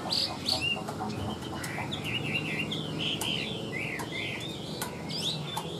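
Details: Caged Chinese hwamei, a hand-tamed bird described as singing very evenly, delivering a steady run of bright warbled and slurred notes in quick succession, with sharp clicking knocks scattered throughout and low background hum.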